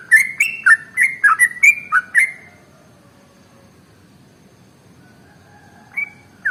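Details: Sooty-headed bulbul (trucukan) in ropel song, played as a lure to prompt other birds to sing: a quick two-second run of bright, slurred chirping whistles, then near silence, ending with two separate whistled notes.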